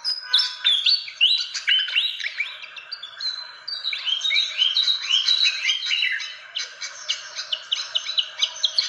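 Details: Bird-luring fantail calls: tumbling bursts of high, squeaky downslurred whistles and chatter, dense at first, then breaking into quick clipped chips near the end.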